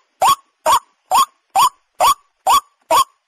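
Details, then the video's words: Water hen call used for hunting: a short, harmonic note that rises then dips, repeated steadily about every half second, seven times, with silence between notes. "Jal morgi ki awaz"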